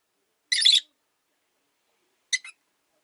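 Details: Single caged rosy-faced lovebird on its perch, its mate having died, gives one long harsh screechy chirp, then after a pause a shorter broken double chirp, with silence around them.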